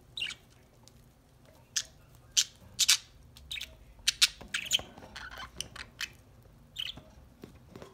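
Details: Several pet budgies playing and chirping to each other while enjoying a corn treat: a busy run of scratchy squawks and bright chirps in irregular clusters, roughly two per second, over quiet room noise.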